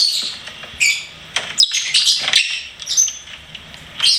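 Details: Lovebird at home chirping and singing in a busy stream of scratchy, high squeaks and twitters, near continuous with short dips between notes.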